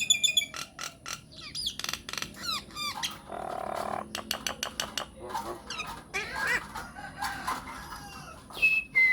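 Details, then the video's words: Myna lure recording for making other mynas call back: dense, scratchy chatter with squawks, rattling bursts and a thin whistle at the end, all mixed and varied. "PANCINGAN / MASTERAN SAKTI UNTUK SEMUA JENIS JALAK, JALAK APA SAJA AKAN NYAUT | MYNAH BIRD"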